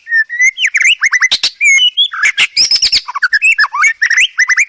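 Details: Dense white-rumped shama song from a master recording for training caged birds, packed with fill-in phrases: rapid rising and falling whistles, chattering bursts and harsher notes with almost no pause.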